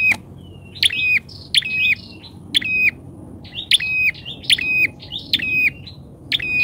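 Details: Bar-winged prinia lure bird calling boldly: fast bright chirps, each with a sharp flick and short flat tone, in quick groups about once a second over soft background hiss.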